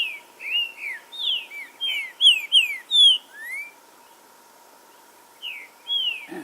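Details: Green-winged saltator song used as a stimulating recording to spark aggression and singing: a run of bright slurred whistled notes, several upswept, then a pause of about two seconds before two more whistles.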